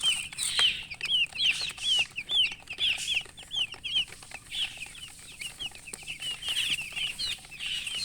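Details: Baby chickens fresh from the egg chirp loudly in a fast series, about two high downward-sweeping peeps per second, several chicks overlapping, with soft scuffling underneath.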